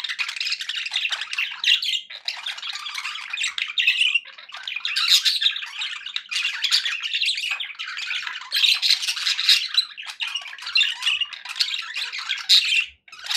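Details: Pet budgies in a cheerful mood, keeping up a long run of chattering warbles, scratchy chirps and high squeaks, steady and lively throughout.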